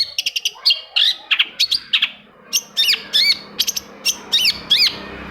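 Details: Long-tailed shrike lure song meant to set other shrikes singing: fast, clean sequence of sharp high ticks, then repeated arched, down-slurred whistled notes, several per second, with a faint background hum.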